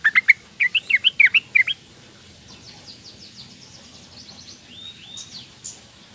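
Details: Young female sooty-headed bulbul calling males, heard as about ten loud, sharp chirps in quick succession over the first two seconds. Only faint, thin distant notes follow.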